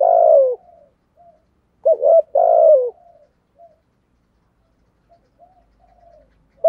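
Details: Low, mellow coos from a spotted dove in the 'giọng thổ' style, meant for stirring up wild doves: a falling drawn-out note, then a quick double note and another long sliding coo, with soft faint murmurs between.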